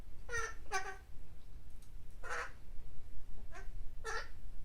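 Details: Pet parrot imitating human speech, calling out a cheer of "Go! Jeremy!", heard as short nasal voice-like bursts repeated in pairs with brief pauses between them.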